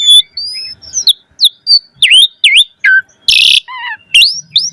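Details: Asian pied starling singing a lavish 'isian' song meant to make other starlings respond: clear rising and falling whistles, V-shaped slurred notes, one harsh noisy burst and low downslurred notes, clean background.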